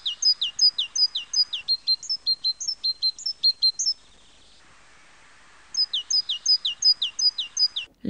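Great Tit song: bright, high two-note phrases repeated quickly in a ringing 'teacher-teacher' rhythm, with a brief pause mid-way before the song resumes.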